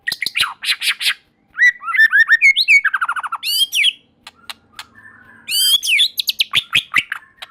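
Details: Singing white-rumped shama, said to get other shamas singing too: dense bursts of chattering notes, varied whistled phrases and a fast buzzy trill, with rapid sharp clicks and brief pauses between phrases.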